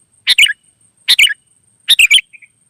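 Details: Sooty-headed bulbul, wild, in energetic 'gacor' song meant to set off answering birds: three rapid liquid phrases of two or three notes each, less than a second apart, ending in a soft trailing note.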